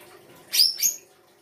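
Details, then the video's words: Brief songbird phrase from full isian rai gosong kancer singing: two quick, high, sharp whistled notes in close succession, then quiet. "FULL ISIAN RAI GOSONG K9NCER"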